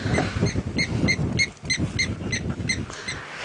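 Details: Blacksmith lapwing (Vanellus armatus) giving about ten sharp metallic 'tink' notes in quick succession, like a hammer on an anvil, behind a young elephant bull at a water inlet on a 4:30 PM safari drive, 7 September 2016; engine rumble and wind.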